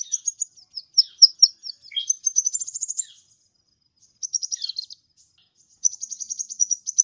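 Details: High, rapid sunbird twittering, a lively song for training caged birds. Quick sharp chirps run into a rising buzzy trill, then pause before two further bursts of fast, scratchy notes.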